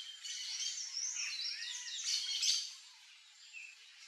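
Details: Yellow-chevroned parakeets (Brotogeris chiriri) at backyard fruit, Brazil, give a dense jumble of shrill, high chattering screeches, overlapping and continuous for over two seconds before fading to scattered notes.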